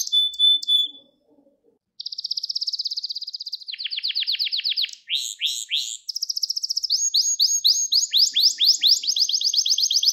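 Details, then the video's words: Gloster canary song played to train young canaries and arouse males; short notes and a pause, then a fast buzzy trill, slower descending slurred tours and a quick rattling run. "Gloster Kanarya Eğitim Sesi Canlı Görüntü | Gloster Kanarya Ötüşü Erkek Huylandırma Ve Kızıştırma"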